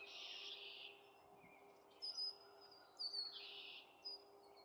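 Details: Canada goose goslings with their family, calling outdoors: two bursts of high, buzzy peeping notes, one at the start and one past the middle, with short faint chirps between them and a steady low hum underneath.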